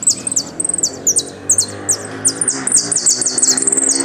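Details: Argentine goldfinch singing in the 'golpe y pitadas' style: a quick run of high, sharply descending whistled notes, repeated several times a second and growing denser and louder toward the end, with a faint low hum underneath.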